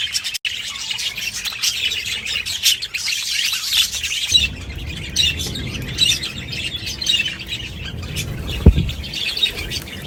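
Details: Numerous budgerigars chattering at once in a loud, continuous chorus of twittering and squeaky notes, with low background rumble and a brief knock near the end.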